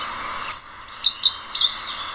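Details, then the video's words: Slate-blue seedeater (negrinho mexicano) song: a single short phrase of six high, sharp notes delivered rapidly, each sliding up and down, over a soft steady background hiss. "O canto do Negrinho mexicano ( Amaurospiza concolor )"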